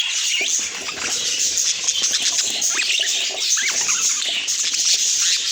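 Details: Budgerigars chattering: an unbroken bed of shrill twitters with scattered rising, curling chirps, busiest toward the middle and end.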